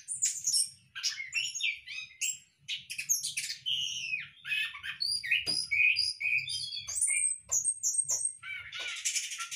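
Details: Varied high-pitched warbling from a caged Orange-headed thrush in a hanging breeding cage, dense chirps and slurred whistles, with a few clear sustained whistled notes later on; soft low hum throughout.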